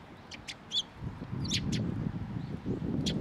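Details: Sparrows coming to a post to be fed at a Tenmangu shrine on 5 May 2023, giving short, sharp, high chirps in a loose, irregular series of about eight over three seconds, over a steady low rumble.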